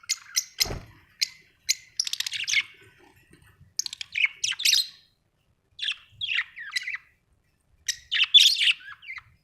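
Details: Pet budgerigars indoors keep up lively warbling: sharp clicks and ticks, then rapid buzzy chirps and twittering phrases in bursts across several seconds, with one low thump early on.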